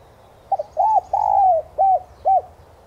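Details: Cooing of a spotted dove, played to provoke decoy doves to call. It has a clipped double opening, a smooth arched coo, a long sliding coo that drops in pitch, and two final rounded notes. Faint low hum behind.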